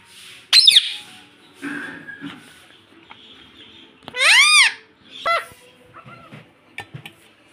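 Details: Young pet Indian ringneck parrot that talks, saying "mummy": a sharp high squeak early, then one loud arched rising-falling call midway and a shorter call after, with quiet babbling and room sounds around.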